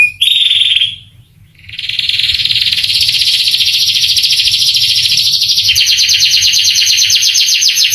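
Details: Male canary training song for young canaries: a short high whistle, a brief pause, then a long, fast, rattling trill that quickens further near the end.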